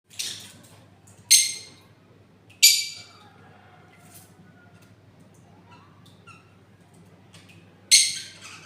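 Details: Parrot giving three loud, harsh, broadband squawks spread across the clip, each sharp-edged and fading quickly, with quiet gaps between and a low steady hum underneath.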